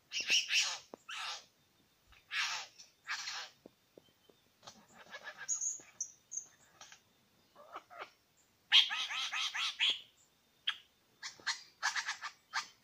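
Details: Male Superb Lyrebirds, two present, at Lookout Point in New England National Park, recorded by phone; a long run of loud rattling, harsh bursts, high thin whistles and clicking notes in varied sequence.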